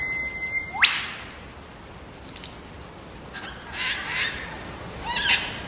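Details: Wild lyrebird from Megalong Valley in the Blue Mountains, Australia: a long steady whistle ending in a loud whip-like upward crack, then softer scattered chattering notes.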